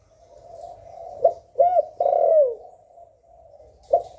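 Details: Spotted dove cooing in the 'hạp bổi' voice style, used to stimulate newly kept wild-caught doves to sing. Short, low, hollow coos with rising-falling notes cluster in the middle, with quiet gaps and a final brief coo.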